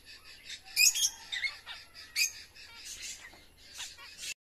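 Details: Lovebirds while eating: sharp high squeaky chirps in short bursts, a loud cluster near the start and sparser notes after, ending abruptly.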